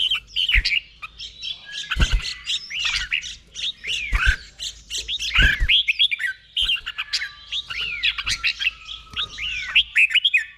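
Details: Caged red-whiskered bulbul from Thailand, song played for training other caged birds to copy; rapid bursts of bright, slurred, bubbling whistled phrases with down-swooping notes, repeated in quick succession, with faint sharp clicks in the background.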